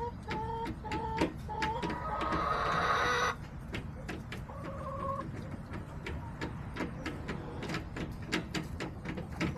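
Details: Backyard chickens, with a few short tonal hen calls among many sharp clicks and taps, a burst of hiss near the start, and another brief drawn-out call midway.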